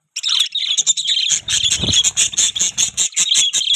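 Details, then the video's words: Pet budgerigars produce a steady, rapid series of sharp high chirps, several per second, over continuous scratchy warbling chatter. "Budgie Chirping Sound"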